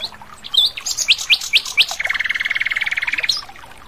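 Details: Lively song of a wild Asian brown flycatcher: several sharp, descending high chips spaced evenly, followed by a rapid buzzy trill of around thirty pulses held for over a second, then a final flicked note.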